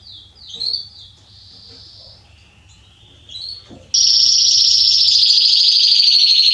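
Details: Belgian canary male of the Salsa type: soft, distant trill fragments for the first half, then a sudden loud, dense high roll sustained to the end.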